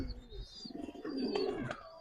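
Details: Domestic Giribaz pigeon, part of a collection, giving a short low rolling coo that swells and then fades. Faint higher chirps and a couple of sharp clicks sound nearby.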